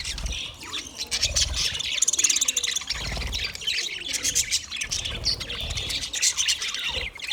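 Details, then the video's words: Budgies singing: a dense, continuous chatter of high warbling twitters and rapid clicking trills from several birds, over low rumbling noise. "Budgie sound Parrot singing Birds chirping sound"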